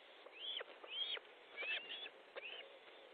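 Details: At an Estonian nest on a July evening in 2014, an osprey calls as fish is delivered: a quick series of high, arched whistled yelps, several per second, rising then dropping, with faint clicks and a steady low hiss.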